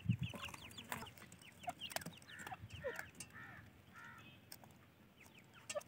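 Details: Baby francolins keep up soft, high, downward-slurred peeps and a few short bowed notes, the chirps fairly faint over steady low background noise.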